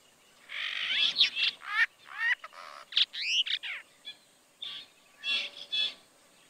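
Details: Brahminy starling in Kaohsiung, Taiwan, on 16 June 2020, giving a lively run of varied whistles, rising and falling slurred notes and short chattering phrases, mostly high-pitched, in bursts with brief pauses.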